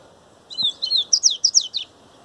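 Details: Double-collared seedeater (coleiro, baiano type) singing the 'grego' song style: two slurred whistled notes, then a quick run of five sharp, descending, downslurred notes, all high-pitched against a quiet background.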